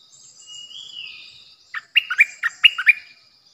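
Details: Bulbul singing as a decoy bird on 8 May 2021. A soft drawn-out whistle gives way to a brisk, bubbling string of about six loud chirping notes.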